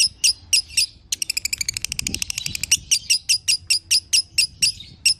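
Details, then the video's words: Lovebird song, kept bird, played to make another lovebird sing again: a few sharp high chirps, then a fast even train of about twenty clicky notes, then spaced bright chips roughly every quarter second. "Putar Suara ini agar LB anda akan kembali Bunyi"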